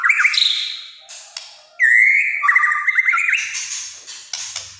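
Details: White-rumped shama in kretekan song, said to provoke other shamas: clear, strong whistles, including a long level note and a wavering trill, followed by fading high chips.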